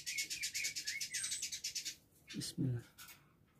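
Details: A kept Village indigobird (Vidua chalybeata), recorded 14 October 2022 in Bandung, sings actively in a training recording: a fast, scratchy chatter of about ten bright notes per second for two seconds, then a man's brief spoken words.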